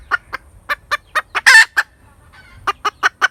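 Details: Hen cackling: spaced clucks rise to a single long, grating note in the middle, then the short clucks resume.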